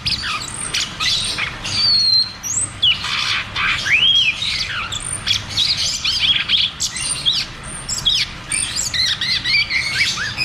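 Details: Cucak cungkok singing a 'ngeroll tembak' roll meant to trigger silent caged birds: a continuous stream of high chirps with looping whistled slurs. Some phrases rise and then fall in quick succession.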